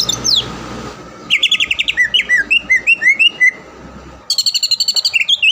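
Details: Caged greater green leafbird, a contest winner from the Palembang area, used as a training recording for other birds: rapid repeated whistled notes, then slurred rising and falling whistles, then a fast high chattering series.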